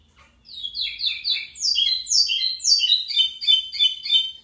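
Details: Pico plat (lined seedeater), a local bird, delivering energetic song: quick buzzy downward-slurred notes rising into higher sweeps, then a fast rattling series to the end.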